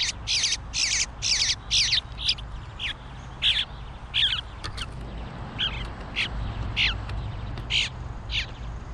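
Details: Young bluebird fledgling demanding food with rasping high bursts, loud and rapid at first, then shorter, fainter and more spaced calls, against a quiet low background hum.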